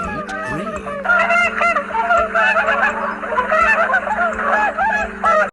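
Swans honk loudly and nasally, several birds overlapping in a near-continuous clamour, with a low steady hum underneath.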